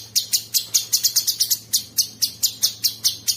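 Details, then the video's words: Coarse, rapid masteran filler from a Sooty-headed bulbul, used to train songbirds. A steady string of piercing high chips, briefly quickening into a fast cluster midway before returning to an even beat. "Masteran Mewah Cucak Sungkok Buat Burung Jawara isian Kasar Ngebren Abis"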